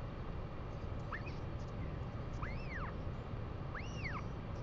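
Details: Northern royal albatross at a New Zealand nest on 2 April 2020, where a female stops by to feed her chick: three high, thin whistles, each rising then falling, about 1.5 seconds apart, over a steady roar of wind.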